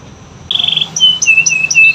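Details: Canary song fragment used to get silent canaries singing: a brief fine buzzy trill followed by several short, thin, high whistled notes.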